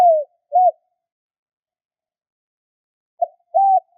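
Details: Spotted dove used to quickly stimulate other doves: low, soft coos in pairs, a short falling note then a rounded arched one, a long silent pause, then another pair, with no other sounds.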